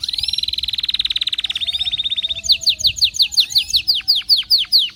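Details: Canary in excited song, opening with a long rapid rolling trill of even high notes that slows slightly, then switching to loud sharply falling whistled strokes repeated rhythmically, each paired with a lower rising slur.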